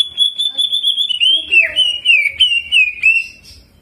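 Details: Greater green leafbird in energetic jamtrok-style song, filled with mimicry of the bar-winged prinia and rolling passages: a long, rapid, ringing trill of high whistled notes that dips slightly in pitch, then breaks into quick wavering warbled phrases.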